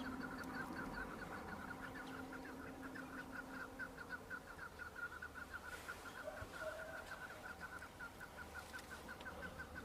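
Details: Chukar partridges, males fighting and displaying in breeding season on Bamo mountain, Kurdistan: continuous run of rapid repeated chuk notes through the whole stretch, with several birds overlapping and low background rumble.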